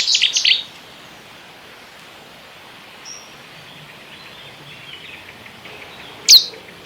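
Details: A Cetti's Warbler gives a sudden, loud, explosive burst of song lasting under a second, with a second abrupt burst near the end.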